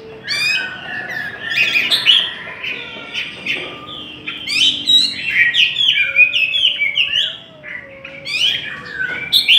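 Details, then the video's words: Competitive singing by the Chinese hwamei: loud, fast whistled phrases alternating with harsh descending chatter, plus occasional pure low whistles. "Chim họa mi hót đấu"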